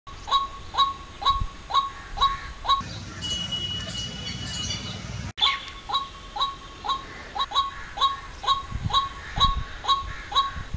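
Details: White-breasted waterhen in Jammu and Kashmir giving loud, repeated harsh croaking "wak wak" notes about twice a second, pausing briefly midway, with faint rustling in the background.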